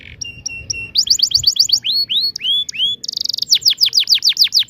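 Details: Canary with lively 'ngerol' tutor song: paired flat whistles, then rapid upswept and downslurred notes, a short buzzy burst, and a closing series of quick descending chirps.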